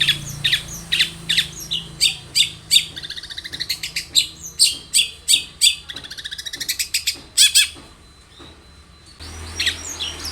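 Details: Long-tailed shrike song as a lure to prompt singing: rapid harsh chattering bursts repeated in a fast irregular series, a short quiet gap, then another scratchy burst.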